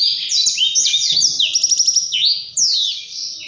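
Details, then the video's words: Blackthroat singing a long ngerol-style rolling song: fast slurred high whistles give way to a short buzzy pulsed trill near the middle, then descending sweeping notes, with a faint murmur underneath. "BURUNG BLACKTHROAT GACOR SIRAJA NGEROL | BLACK THROAT BIRD SINGING"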